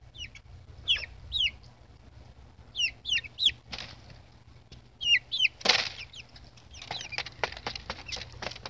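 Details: Baby chicks giving shrill, descending peeps in rapid clusters of two or three, several overlapping, interspersed with sharp clicks and rustling scuffles toward the end.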